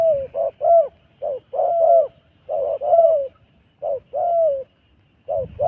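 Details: Repeated cooing of a wild dove, soft low notes grouped into phrases of two or three, each phrase ending in a drawn-out wavering coo, about five phrases with short silences between them; quiet low background noise.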